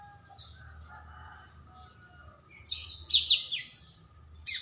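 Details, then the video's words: Young black-throated canary whose song is becoming loud, with melodious phrasing: brief high thin twittering notes, then a dense burst of rapid chattering trills near the middle, and another high phrase at the end, over a faint low hum. "Merdunya nyanyian burung Blackthroat"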